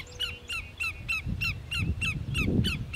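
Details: Greater yellowlegs calling at Grand Forks, North Dakota, 13 July 2009, giving loud clear downslurred notes repeated in a slightly uneven series, nearly two per second, over low wind-like rumble.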